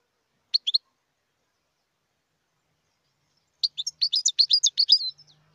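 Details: Wild European goldfinch song: a brief trio of high chirps, then after a pause a fast, tinkling twitter of jumbled high notes lasting over a second, with a faint low hum near the end.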